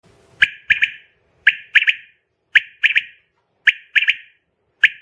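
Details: Female common quail calling: short sharp whistled notes near two to three kilohertz in clipped groups of one then two, the pattern repeating about every second and a quarter against a quiet background.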